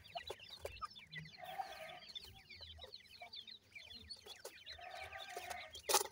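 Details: Soft calling from grey francolin chicks, known locally as dakhni teetar, alongside an adult pair: busy streams of thin, falling chirps in overlapping bursts, some louder clicks, and a brief low hum twice.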